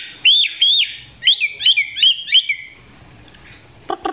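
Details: Chinese hwamei recorded up close, song not yet at full strength: two loud looping whistles followed by a quick series of rolling slurred notes, then a few sharp clicks at the end.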